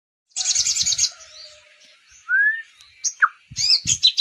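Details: Sunbird song with a filling of kapas tembak phrases: a high, rapid buzzy trill, then a rising slurred whistle, a sharp downward note and a final burst of quick high chips.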